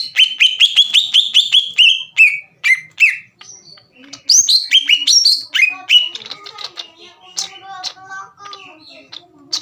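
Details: Cucak ijo (green leafbird) in full gacor song, used to anger rival birds into singing: a quick run of repeated sweeping whistled notes, then varied bright slurred phrases, with softer lower chattering trailing off at the end.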